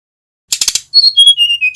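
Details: Male brown-chested jungle flycatcher from Bali singing as a lure to make other birds sing. Four quick buzzy notes, then a string of clear, level whistles stepping gradually lower.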